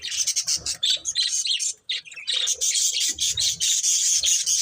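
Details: Budgerigars from a breeding pair squawking and chirping rapidly, harsh scratchy notes at about two or three per second with faint low thumps beneath.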